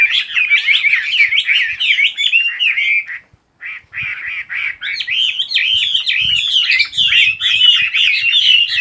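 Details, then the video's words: Rapid, tumbling bird song of chirps and whistled slurs, a brief silent break after about three seconds, then the busy, high warbling continues steadily to the end. "Chỉ có nghe chim hót là tâm hồn thanh thản nhất."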